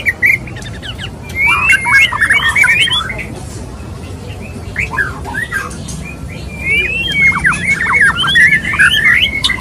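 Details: Male white-rumped shama wooing a female; two bursts of rapid twittering, warbled notes separated by a quieter stretch of scattered chips, with steady background hiss.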